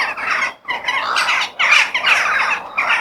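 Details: Crow calling in nature: a run of loud, hoarse caws in quick succession, about two or three per second with short breaks, over a faint background of other birds.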